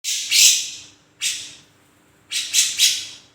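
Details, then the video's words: Grey-cheeked bulbul singing vigorously: harsh, broadband squawking bursts in three groups, the last a rapid double-triple burst, separated by short silences. "Kicau burung cucak jenggot gacor"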